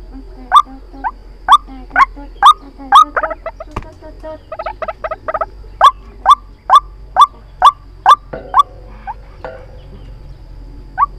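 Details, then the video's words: A white-breasted waterhen calls in a recording used to lure birds into traps. Loud, rhythmic rasping notes come twice a second, break into a burst of quicker, softer notes with a click, then resume the steady beat. "Tiếng chim quốc Mồi chuẩn dùng để bẫy"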